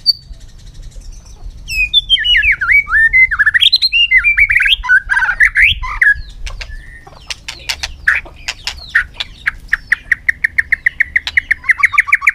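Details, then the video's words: Shama singing in a contest in late afternoon sun: a long varied run of swooping whistled and warbled notes, followed by a rapid even series of sharp clicks repeated more than twice a second. "chòe lửa căng lửa hót đấu siết nắng chiều"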